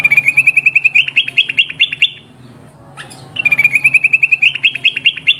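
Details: Sooty-headed bulbul calling in a long rolled series, used as a lure for wild birds; fast trilled notes with small upward flicks run for two seconds, pause amid quiet hiss, then resume at the same pace.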